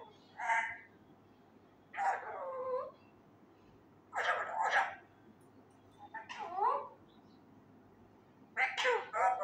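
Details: Pet male Indian ringneck parakeet, not yet trained, loudly attempting learned words like "kia howa": five chattering, croaky, speech-like phrases with sliding pitch, each about half a second to a second long, separated by short silences.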